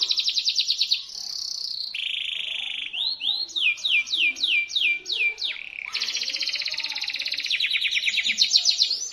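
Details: Sharp, shrill local canary song used as a lure for silent canaries: opening buzzy trills, a flat harsh drone, a series of swooping slurred whistles, and a long, rapid, rattling high trill.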